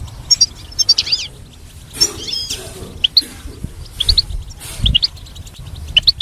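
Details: High, tinkling goldfinch song delivered as scattered short chirps, paired notes and brief twittering flourishes with quiet gaps between phrases, over a faint low hum.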